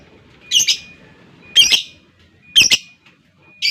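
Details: Lovebird calling in a recording meant to spur a rival into long ngekek chattering: three harsh, high, grating squawks about one second apart, each a short double burst, with a faint steady tone underneath.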